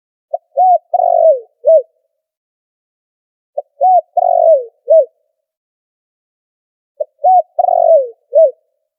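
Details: Trapping lure call of a spotted dove, noise-filtered: cooing phrases of a brief opening note, a rounded coo, a drawn-out descending coo and a closing coo, heard three times at roughly three-second intervals.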